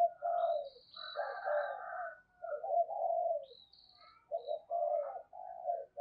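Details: Female spotted dove cooing to excite males: soft, low, hoarse coo phrases in repeated bursts separated by short pauses, with a faint higher tone above.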